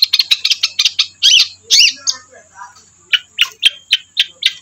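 A Long-tailed Shrike sings a rapid, harsh chatter of scratchy high notes, about two per second, broken by a few softer nasal phrases over a faint steady high hiss.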